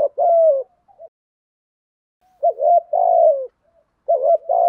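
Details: Spotted dove in the 'giọng thổ' cooing style, repeating a wavering introductory note and a long, smooth, falling coo, with pauses of about a second between phrases.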